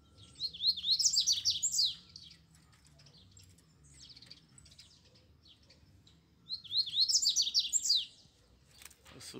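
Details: Double-collared seedeaters, two caged birds in hand-held cages with a wild one free nearby, singing: two bursts of high, sharp, zigzagging chirped notes, each about a second and a half long, separated by a quiet pause. A man speaks faintly.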